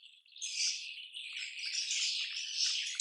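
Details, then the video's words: Swiftlets of a colony twittering, starting faintly then rising into a sustained, buzzy, high chirping wash, ending in a sharp click. "SUARA ASLI KOLONI WALET"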